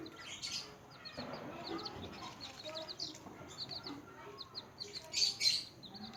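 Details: Newborn chicks peeping during feeding, short high downward notes repeated about four per second in patches, with rustling and some muffled lower sounds.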